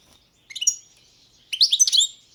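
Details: Balkan goldfinch (Carduelis carduelis balcanica) singing in a 2022 world championship entry: two short bursts of high, liquid twittering notes about a second apart, clean background.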